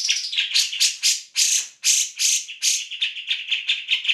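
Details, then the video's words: Grey-cheeked bulbul singing eagerly for training other cage songbirds: loud, scratchy, broad notes, some drawn out and hissing, others clipped and quick, in an unbroken chattering stream. "Cak Jenggot Gacor"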